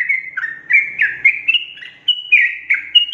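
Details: Long rapid 'ropel' song of a sooty-headed bulbul, a tight run of quick liquid whistles that alternately rise and fall, about four notes a second, over faint low background noise.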